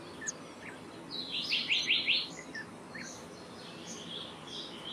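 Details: Black-naped monarch, also called black-naped blue flycatcher, giving a short, quick burst of about four sharp, high rising notes in the middle of the clip. Faint chirps and soft background noise surround it.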